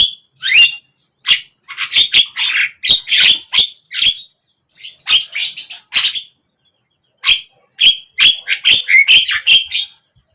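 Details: Javan myna song from morning, midday and evening: separate bursts of sharp, harsh squawks and clicks with clear silent gaps, ending in a quicker run including a short rising whistle.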